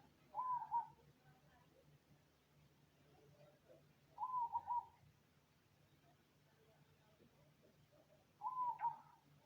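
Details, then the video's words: Cemani zebra dove singing three evenly spaced, stuttering coo phrases roughly every four seconds, clear above a quiet background with faint chirps and a low hum. "Perkutut Cemani Manggung Jos Suara Adem"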